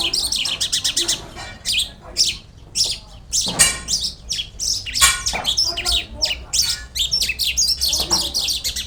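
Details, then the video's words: Energetic song of a Pakistani Jal lark, or Irani branjangan: a dense, unbroken stream of high twittering chirps, scratchy trills and harsh clicks, with varied phrases delivered rapidly and almost without pause. "Burung Branjangan Irani Jal Lark pakistan gacor"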